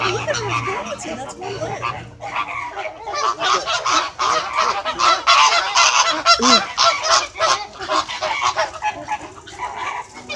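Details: A noisy flock of flamingos squawking to one another in a conversation; dense overlapping harsh honking calls, sparse at first and then nearly continuous, layered at a rapid, irregular pace.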